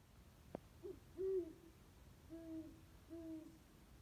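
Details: At 2:34 am in a backyard oak, an owl hoots in a series of low notes, one short, then a longer one, followed by two more even hoots, with a faint click and steady low hum.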